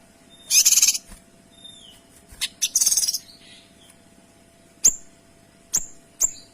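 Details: Kinoy giving tight, clear 'tembakan' song meant for tutoring other birds: two loud harsh buzzy bursts with thin whistles between, a few scratchy notes, then three single sharp high downslurred chips spaced about a second apart.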